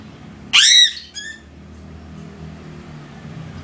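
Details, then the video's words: A crow gives one loud, harsh, descending caw, followed by a shorter, weaker second note, then a quiet background hum. "Sound of the Crow"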